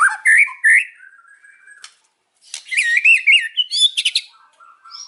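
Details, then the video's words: White-rumped shama singing in the afternoon, with loud mixed chirps, a pause, then a rapid run of wavering whistled notes and dry rattling clicks. "KICAUAN MURAI BATU SORE HARI BONGKAR ISIAN KERAS"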